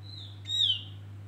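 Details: Javan grey-throated white-eye, male, bait song used to lure birds: one loud, clear whistle about half a second long, sliding gently downward with bright overtones, rising out of a faint steady hum.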